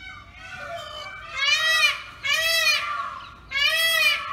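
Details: A peacock in a village setting gives three loud, drawn-out, nasal wails, each rising then falling, spaced about a second apart over a low background hum.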